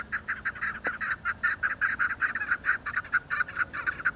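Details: Chukar partridges calling in hills of Budgam, Kashmir, in October 2021: a steady series of hoarse, clucking chuk notes repeated about four per second, gathering pace.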